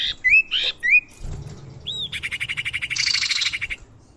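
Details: Common iora calls used as a bird lure: several sharp whistled upslurs and an arched note, followed by a long, rapidly pulsing buzzy rattle.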